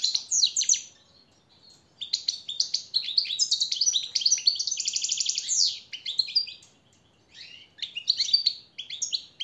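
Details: European goldfinch singing a motivating training song for captive birds, a sustained stream of rapid twittering notes with a long buzzy trill in the middle, then more sharp chirps.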